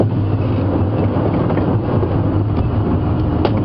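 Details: Constant engine drone with clanking mechanical rattles from a safari vehicle at sunrise, and no animal calls.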